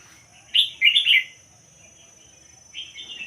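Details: Red-whiskered bulbul, pied-head line, giving a quick burst of three or four sharp, chirpy warbled notes, a pause, then a shorter rising warble at the end.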